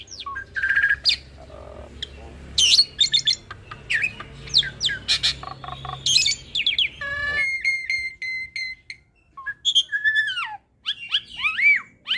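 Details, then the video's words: Hybrid starling from a cross of Asian pied starling and Jalak Nias, a cage bird, giving chattering ocehan song as a training master: dense clicks and harsh bursts, then clear repeated whistles and looping upswept notes over a low background hum. "Masteran Jalak Suren Biar Cepat gacor Dengan Ocehan Jalak Hybrid ASSU - Jalak Suren X Jalak Nias"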